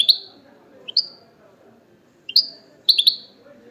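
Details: European goldfinch described as wild, associated with the Al-Quray'a Sunday bird market: sparse, single, bright high chirps, some given in quick pairs, spaced irregularly through a soft room background.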